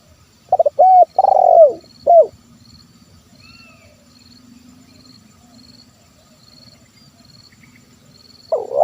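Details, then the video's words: Spotted dove (terkukur) giving a 'kuk 1' style coo, meant as a lure to call in wild birds: stuttered short notes, then a long purring note falling at its end and one clipped final note, then near silence with a faint high insect-like tone. "SUARA TERKUKUR KUK 1 MEMANGGIL BURUNG LIAR"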